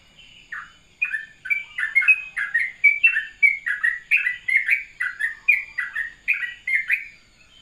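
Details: In the morning, a sooty-headed bulbul delivers a soothing rapid 'ropelan' song: after a faint start, a steady stream of clear, bouncing two-part chirps, each dropping in pitch, repeated roughly twice a second for six seconds.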